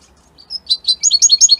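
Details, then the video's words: Short opening of an Italian goldfinch's song: a few thin high notes, then a quickening series of bright paired chirps. "ITALIAمن أقوى تغاريد طائر الحسون الجميلة الحسون ايطاليا"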